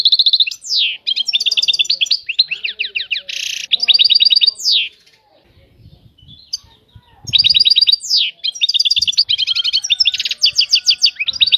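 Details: European goldfinch in song: rapid liquid twitters, buzzy trilled bursts and sweeping down-slurred whistles in two long phrases separated by a quiet gap of about two seconds with soft knocking sounds.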